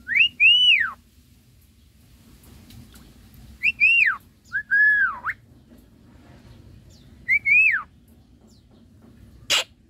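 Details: Semi white-eyed Javan myna in a keramba cage, singing around its bath: four separate clear whistles, each arching up then down, spaced by pauses, ending with one short harsh click.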